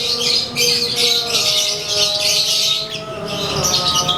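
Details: A caged lovebird of the konslet kind, out sunbathing, chatters in a continuous blurred stream of harsh high notes with little gap between them, over quiet steady tones in the background.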